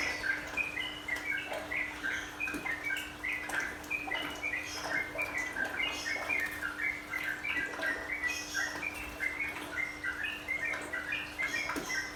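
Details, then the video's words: Sooty-headed bulbul master song paired with running water as therapy for caged birds. Rapid, cheerful whistled phrases repeat densely throughout, over steady water splashing, occasional clicks and a low electrical hum. "Teraphy trucukan agar tenang, nropel dan menggaruda"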